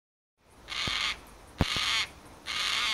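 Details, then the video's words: Carnaby's black-cockatoo (Calyptorhynchus latirostris) calling: three harsh, drawn-out wailing calls, each about half a second long and spaced roughly a second apart, with a few sharp clicks between them. "Carnaby's Black-Cockatoo (Calyptorhynchus latirostris) Calling"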